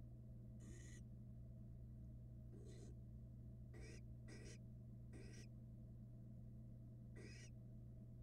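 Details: In a Florida nest box in 2022, two barn owl nestlings eat rats side by side. Raspy hissing screeches come in irregular bursts, two of them close together, over a steady low background hum.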